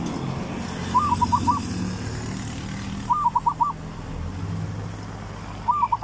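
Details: Zebra dove song in the Thai three-provinces style, used as a lure for decoying birds: three short bursts of quick, rolling, mid-pitched coos, each about half a second, over a steady low rumble of passing traffic.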